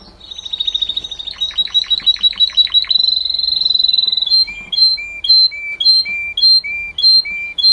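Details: Singing canary: a high rapid trill, then a series of fast descending sweeps, a long sustained bright tone, and finally paired notes alternating high and low, repeated roughly twice a second.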